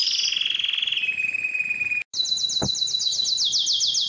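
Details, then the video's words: Canary trilling high, then holding a long steady whistled note, a brief cut, and a return to loud rapid rolling trills; a short click is heard mid-way. "Canary sounds"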